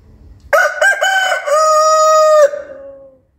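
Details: A local rooster crowing at dawn: one loud cock-a-doodle-doo lasting about two seconds, with two short clipped opening notes followed by a long sustained steady note that fades out in a trailing tail.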